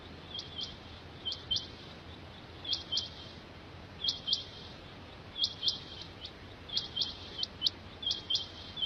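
Rain Quail giving high, sharp metallic notes in quick doublets and triplets, repeated every second or so over a steady low background hiss.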